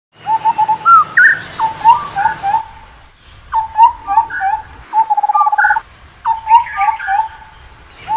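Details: Indian scimitar babbler giving fluty, hollow whistled notes near one pitch, with short rising slurs and quick stuttering runs, repeated in bursts separated by brief gaps over a low background hum.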